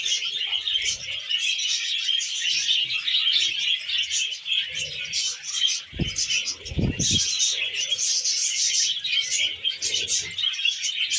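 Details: Pet budgerigars feeding on wheat germ, with long, steady, high-pitched flock chatter of chirps and warbles, and a few sharp knocks partway through.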